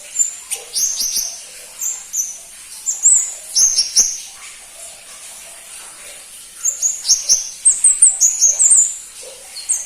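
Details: Pentis pelangi, the crimson-breasted flowerpecker, singing in hurried clusters of sharp, very high clicks and squeaky downslurred notes, a dense burst closing the passage.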